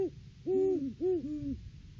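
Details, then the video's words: Male and female Great Horned Owl duetting at the nest tree in December, off-season; two voices trading deep hoots, the higher one overlapping a slightly lower drawn-out hoot, close and clear. "Bonnie & Clyde stop by for a visit, and a Hootfest!"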